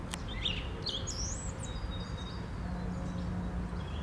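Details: Song thrush singing on a Sunday morning, 11 April 2021: a few short whistled and slurred notes, high and bright, over a steady low rumble of background noise.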